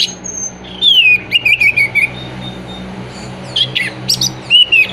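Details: Orange-headed thrush singing, played to encourage moulting, silent or low-condition birds: a long, clear, descending whistled phrase, then short, sharp, clipped notes and a final bright slurred whistle, with faint low hum behind.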